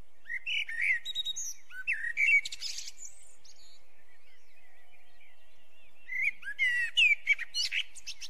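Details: Two song phrases from a Eurasian blackbird, each a rich whistled warble closing with shrill, chattering high notes, separated by a few quiet seconds.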